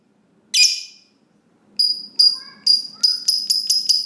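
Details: Lovebird ngekek as a lure for other lovebirds: one harsh shrill burst, a pause, then an accelerating run of piercing squeaky notes with faint lower whistled slides, becoming nearly continuous.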